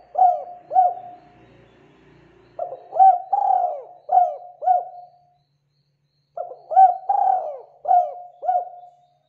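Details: Local spotted dove from Indonesia singing as a lure to draw in other doves: repeated phrases of soft hooting coos, short clipped notes followed by a rolling, wavering coo, three bouts with brief quiet gaps between.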